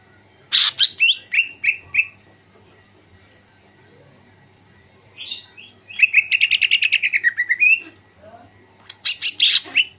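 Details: Greater green leafbird in afternoon outdoor training for ngentrok singing, pouring out a few sharp notes, a long rapid rattling trill of repeated notes, then a final loud burst.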